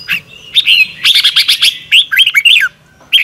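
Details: Morning song of a red-whiskered bulbul in the double-twist voice style, a 2022 lure recording used to train other birds: rapid chattering bursts of clear whistled notes, then twisting up-and-down slurs, a brief pause and a final short whistle.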